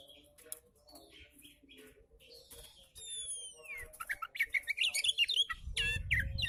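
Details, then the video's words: Oriental magpie-robin song used as a tutor recording to stimulate lazy magpie-robins to sing. Faint, scattered notes give way midway to long descending whistles, then a lively run of varied, rapidly repeated chirps and warbles. "KICAU KACER SANTAI COCOK BUAT MASTERAN KACER MALAS BUNYI"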